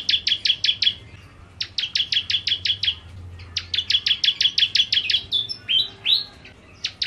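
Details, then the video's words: Bar-winged prinia (ciblek kristal) singing vigorously in 'nembak' style: short bursts of quick, high repeated chips separated by pauses, then a pair of rising slurred whistles. "Ciblek Kristal Gacor Nembak Nembak"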